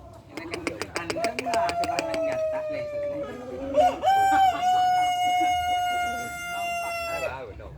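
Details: Rooster with a long, sharp crow likened to a cricket at night: a run of rapid clucks, then a drawn-out, level, ringing crow held for about three seconds before breaking off.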